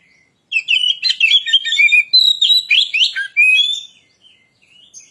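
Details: Oriental magpie-robin (kacer) singing a lure song to stir other birds: a lively non-stop flow of bright whistled notes, twitters and short trills, with a low dipping note near the end before the song fades.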